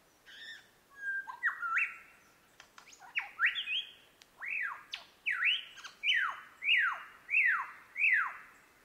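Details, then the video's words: Superb lyrebird (Menura novaehollandiae) pouring out loud, varied whistles, then a run of about six ringing, arched sweeps, roughly one every 0.6 seconds, over a quiet background. "La Ave de las 1000 voces Menura novaehollandiae"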